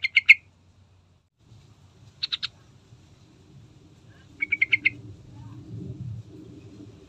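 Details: Sooty-headed bulbul (trucukan) used as a singing lure: clipped bursts of three, three and five rapid, rasping notes, with low rumbling noise rising toward the end.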